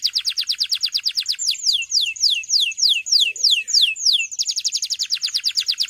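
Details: Male canary song for training young canaries: a rapid trill of falling notes, a slower run of slurred descending whistles, then the fast trill returns, loud and clear.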